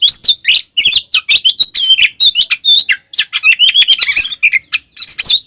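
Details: Oriental magpie-robin fighting song aimed at provoking other magpie-robins: rapid chattering and whistled notes, some buzzy harsh bursts, delivered in quick succession.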